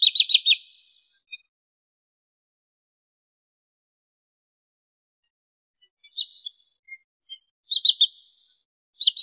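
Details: Wood sandpiper, played as a trapping lure: a loud quick run of high chipping notes opens, then a long silence, followed by softer scattered chips and two more brief rapid chip series near the end.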